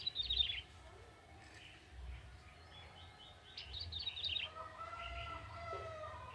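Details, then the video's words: Vigorous song of a young wild male bar-winged prinia from the forest: high, falling twittered phrases, followed by a steady lower harmonic whistle from another source. "Burung ciblek tebu jantan muda hutan gacor"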